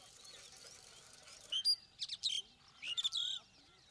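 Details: Starling calling outdoors: after a quiet start, a run of loud, harsh, buzzy notes mixed with sharp whistled sweeps arrives in two clusters, with faint twittering of other birds behind.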